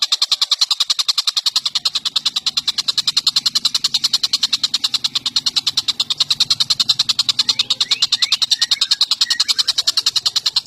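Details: Indonesian bird, either tengkek buto or cucak jenggot, used as a training recording for songbirds: a fast, harsh, rattling series of dry ticking notes, about three per second, steady throughout, with a faint low hum beneath.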